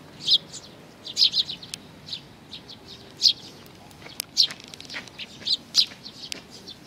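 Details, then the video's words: Sparrow chicks with their parents: a busy series of short high chirps, some clustered in rapid groups of two or three, with a few faint clicks between them. "可愛いすずめ達 20190511 5（雛鳥親子がやって来た）"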